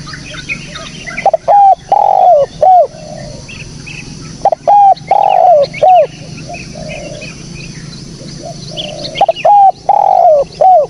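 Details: Spotted dove cooing recorded clearly as a lure for bird catching: three loud phrases, each a few short coos and a drawn-out falling note, spaced by softer gaps with thin background bird chirps.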